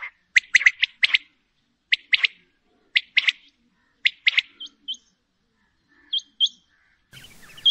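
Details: A female common quail repeats quick double and triple sharp notes at roughly one-second intervals, fading into softer high chips before a burst of noise at the end.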